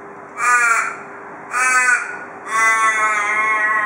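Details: An Australian raven, a daily porch visitor in Perth, gives three harsh, nasal caws about a second apart, the last long, drawn out and wavering. This is the "cock a doodle doo" call of Perth ravens.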